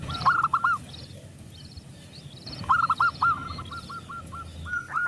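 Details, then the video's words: Local zebra dove with a loud voice, singing as a lure to get other doves calling: two bursts of fast stuttering hollow coo notes, a quieter trill between, with low background rumble. "perkutut lokal gacor suara besar pancingan super ampuh"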